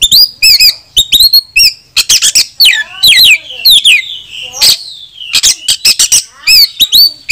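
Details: Oriental magpie-robin lure song, said to call a rival to fight and provoke other males into spreading their tails and singing: a loud, dense stream of varied whistled phrases, sharp chips and rising and falling slurs, repeated without pause.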